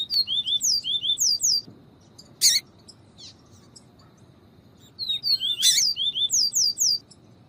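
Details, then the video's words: Double-collared seedeater, viviti song type plus female calls for stimulating males. Two fast bursts of high, buzzy slurred whistles about three seconds apart, with sharp clicks between. "PAPA CAPIM VIVITI E PIADO DE FEMEA"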